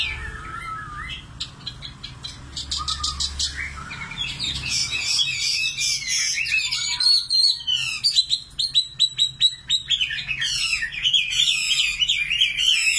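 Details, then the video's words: Nightingale song: a few whistled slurs, then a burst of rapid, evenly repeated buzzy notes, followed by long rattling trills and quick chirped sequences, loud and high. "Singing nightingale. amazing bird song"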